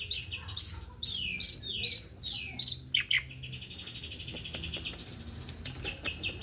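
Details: Male white-rumped shama singing pentet style, fast and dense: six loud descending slurred notes spaced about half a second apart, then a steady high whistled tone with sharp clicks.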